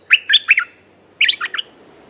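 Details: A caged red-whiskered bulbul sings two short, cheerful phrases of three or four chirpy whistled notes each, heard up close against a quiet background.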